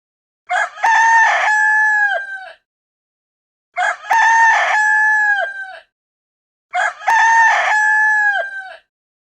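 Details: Rooster crowing three times at regular intervals of about three seconds, each a loud, ringing cock-a-doodle-doo of sharp opening notes and a long, steady, slightly falling final note, in an otherwise silent background.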